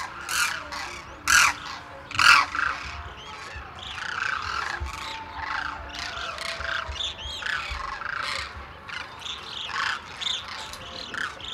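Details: Demoiselle cranes in winter at Khichan, India, a flock fed by villagers early in the morning; a few loud, harsh trumpeting squawks near the start, then a steady babble of rougher calls and short rising notes from the crowd.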